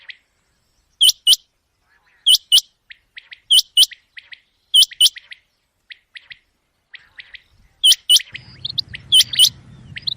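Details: A common quail call, offered by hunters as a night-time calling sound, gives sharp, high, clipped notes in quick two- and three-note bursts, repeated about every second; a low hum rises in the final two seconds.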